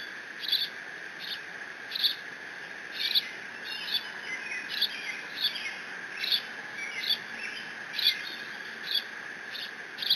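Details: An eaglet of bald eagles, alone at the Decorah nest on 30 June 2017, mantles a fish from its father while squeeing; sharp, high squeals repeat roughly every second in an even rhythm, with camera hum beneath.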